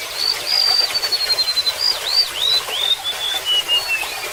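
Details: Golden-bellied gerygone with a long descending whistled phrase: a high held note, quick upslurs, then fading lower notes, accompanied by splashing, trickling water.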